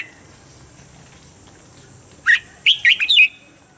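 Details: Red-whiskered bulbul singing standard-voice training song for the morning: after a long quiet pause, one sharp note, then a rapid run of three or four fluty, slurred whistles, with faint constant background hiss.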